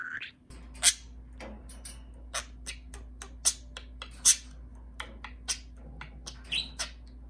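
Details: A pet budgerigar, excited on first interacting with a plastic toy parakeet, chatters in quick, scratchy chirps and clicks over a steady low hum.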